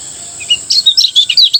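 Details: Morning ngejos song of a Lombok lemon-bellied white-eye: two soft opening chirps, then a rapid jumble of sharp, high, up-and-down notes, with a constant thin hiss in the background.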